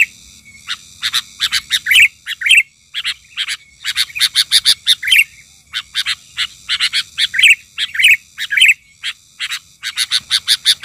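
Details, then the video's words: A Sooty-headed Bulbul lure bird in a frenzy gives a rapid, uneven stream of sharp, scratchy chirps, nearly two each second, with a faint steady hum beneath. "ketika pikat burung kutilang ngamuk...kutilang liar cuma bisa melongo"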